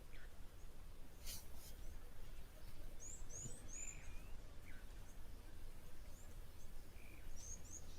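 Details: Blue waxbills at an African waterhole on a windy November day give very high, thin squeaky notes in short bursts over strong low wind rumble, with chinspot batises also calling and a man's voice faintly heard.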